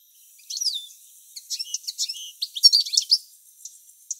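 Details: European goldfinch male singing some tens of metres from the nest where the female incubates; after a short quiet start, scattered high twitters build into a dense burst of liquid chirps and trills, then fade.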